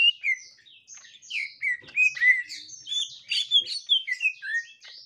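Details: Captive gotri green leafbird behaving excitedly after a young wild green leafbird is found: a jumble of quick whistled slurs, squeaky chirps and harsher buzzy notes, irregular and overlapping, with one lower clear whistle near the end.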